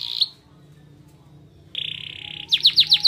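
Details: Canary singing pleci (white-eye) material to stir other birds' excitement: a short bright note, a quiet gap, then a steady buzzy held trill. It ends with a run of loud, sharply falling whistled notes.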